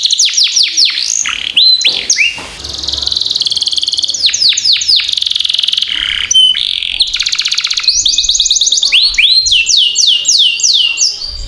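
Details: Canary singing as a lure for other canaries: long varied song mixing rapid downward-sweeping notes, buzzy rattling trills and brief clear whistles, with short pauses between phrases.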